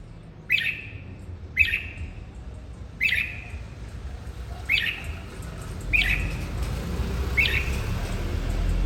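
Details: Red-whiskered bulbul, used to stimulate singing: six short bright chirped notes, each with a quick downward slur, spaced about one to one and a half seconds apart over a steady low rumbling background.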